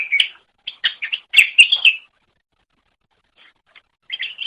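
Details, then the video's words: From a training recording of greater green leafbird song: a quick burst of scratchy chips and whistled notes, then near silence, then a short new phrase starting at the end. "Ocehan Suara Burung Cucak Ijo"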